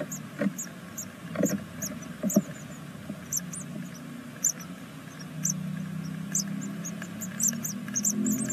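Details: Great tit nestlings on the sixth day of a second brood, filmed by a live nest camera in Veszprém, Hungary: thin, high, arched squeaks come in scattered bursts and thicken toward the end over a low steady hum and soft bumps.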